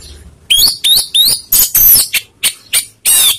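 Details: Orange-headed thrush singing a lure meant to provoke rival birds, a brisk run of about eight loud phrases: rising slurred whistles mixed with scratchy, buzzy notes, each separated by brief pauses.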